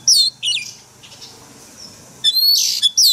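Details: Oriental magpie-robin, forest-voice song for training caged birds; a few loud high whistled phrases and a bright slurred note, separated by a quiet gap of over a second.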